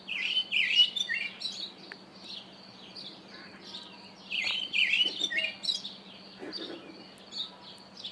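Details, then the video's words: Karoo thrush calling: bursts of quick, chirpy, slurred notes in a busy run of short phrases over a faint, steady low hum. "Karoo Thrush call"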